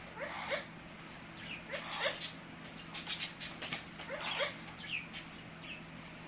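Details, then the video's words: Pet Amazon parrot making funny noises: short squawky chirps and clicks in bursts, some with harmonic upward inflections, spaced irregularly over a few seconds, with a steady low hum in the background. "My Amazon parrot Hecko is making funny noises"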